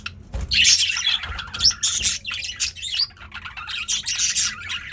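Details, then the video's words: Several male budgerigars, very active in a cage, give dense overlapping chirps and warbles, bright and scratchy, with brief louder squawky notes and low thumps near the start. "Budgie’s Activity"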